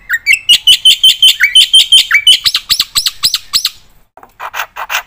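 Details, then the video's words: Black-winged myna singing actively, its full song used to tutor and spur other birds: a steady series of clear whistled chirps with rising slurs, briefly pausing, then a few harsher scratchy notes. "suara burung jalak putih gacor full isian PATEN untuk pancingan dan masteran"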